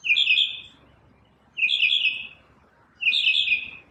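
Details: One bird's morning song: three short, bright, jumbled warbling bursts, spaced roughly a second and a half apart, with brief silences between them.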